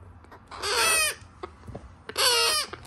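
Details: Young African grey parrots giving two harsh, raspy, drawn-out squawks, each about half a second long, with a quiet pause between them.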